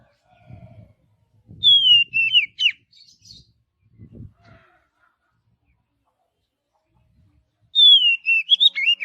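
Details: Oriental magpie-robin singing in forest: descending whistles with rapid twisting notes, repeated after a pause, with soft low thumping sounds between phrases.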